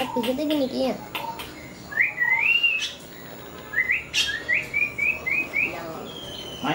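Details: Sri Lanka myna visiting a home, 10 December 2020, giving clear, rising whistles, then a quick run of short upslurred notes about twice a second; warbling, voice-like sounds open the recording.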